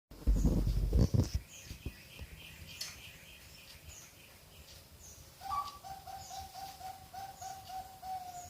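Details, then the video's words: Six-month-old Bangkok-type zebra dove from a bird farm in Ngaliyan, western Semarang, Indonesia: after loud low thumps and handling noise, a high opening note leads into a steady run of rapid, even cooing pulses. Faint high chirps sound behind. "Perkutut bangkok"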